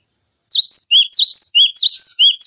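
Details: Cinereous tit tutor recording for songbirds such as magpie robins: bright, piercing high whistles in quick two-note pairs, the notes dipping and rising, repeated rhythmically and without pause for two seconds.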